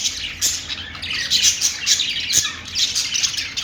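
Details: Parakeets chirping in a fast run of high buzzy notes and squeaks, roughly two per second, layered into a constant chatter with one sharp click partway through.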